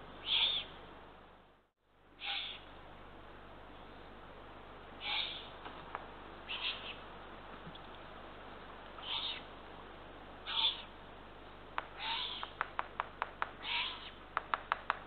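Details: Eurasian eagle-owl nest at night, June 2023, with three well-fed ringed chicks being brought small rodents. Scattered short hoarse hisses through the stretch, one brief dropout near the start, and rapid dry clicks toward the end.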